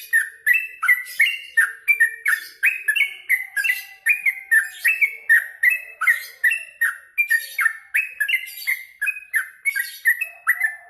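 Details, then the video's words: After eating mealworms, a yellow-vented bulbul sings at length: a continuous, rollicking chatter of bubbly notes jumping up and down, phrases tumbling steadily one after another for about eleven seconds. "Habis makan ulat hongkong burung trucuk ini jadi gacor"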